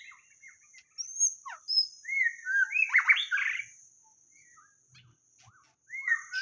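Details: Song of a white-rumped shama, used as a lure: clear rising and falling whistles, a loud rich burst of mixed notes around the middle, then quiet, ending with more upslurred whistles over a constant high tone.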